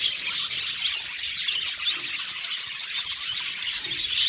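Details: Aviary flock of budgerigars producing nonstop high-pitched chirping and warbling, numerous birds overlapping so that individual notes blur into a dense bright chatter, with a few clearer whistled chirps.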